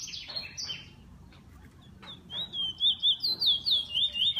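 A bullfinch gives a few soft, falling piping whistles, then a quick string of wavering, slightly creaky high notes, about four per second.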